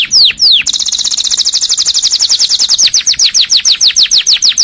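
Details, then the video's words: Canary singing as a tutor song for other canaries: two falling whistles, a long dense buzzy trill, then evenly spaced downward-sweeping notes. "KICAU BURUNG KENARI COCOK UNTUK MASTERAN & PANCINGAN"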